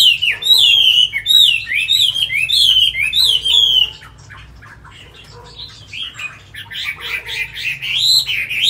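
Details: Tamed Chinese hwamei singing in a cage: loud rolling whistled phrases repeated rapidly for four seconds, a quieter pause, then bright rising and falling notes returning.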